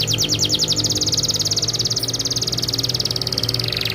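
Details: Canary in full rolling song, very vocal: one long unbroken high trill of rapid, evenly pulsed notes that rolls on for the whole stretch, with a faint low hum behind it.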